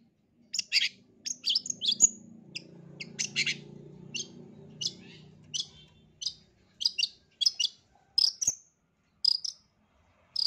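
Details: Long-tailed shrike sounds played as training and therapy for a stressed, silent caged shrike: sharp, dry chirps and clicks in short bursts, repeated irregularly about once a second, with a soft low rumble behind.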